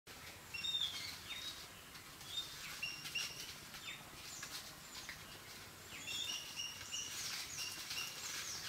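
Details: Yellow-billed babblers fighting in Sri Lanka give a rush of overlapping harsh, squeaky chirps and chatters, several birds calling at once at a high pitch over faint background noise.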